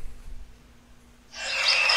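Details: Scaly-naped parrot (Amazona mercenarius), a bird of Rio Blanco reserve, Caldas, Colombia, giving a loud, harsh, raspy screech that bursts in after a quiet stretch and carries to the end.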